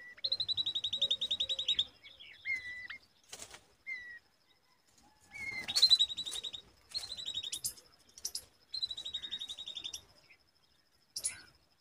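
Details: Common babbler (Argya caudata) babies on a date tree giving bursts of rapid, high chattering trills, each run of quick notes lasting one to two seconds, over a faint steady high whine.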